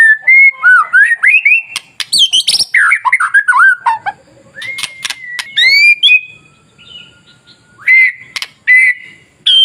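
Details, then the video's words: White-rumped shama song aimed at provoking other shamas to sing: a long run of rich, varied whistles and warbles, then sparser rising whistles with sharp clicks in between. "SUARA MASTERAN KICAU MURAIBATU Pancing Murai Lain yang Takut Jadi Emosi dan gacor"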